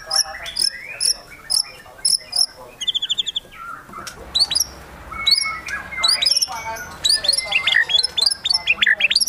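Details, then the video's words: Excited White-rumped shama song: rapid sharp high chips, a fast trill of repeated notes, then a dense tumbling mix of whistles and clicks building toward the end. "MURAI BATU GACOR EMOSI TINGGI NEMBAK ISIAN GAYA MEWAH"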